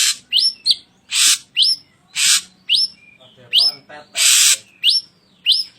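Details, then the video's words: Ashy drongo in full voice, recorded as a masteran for cage birds: loud upslurred whistles, some doubled, interspersed with coarse hissing rasps at an irregular, lively pace. "Suara Burung Masteran Sirgunting Gacor"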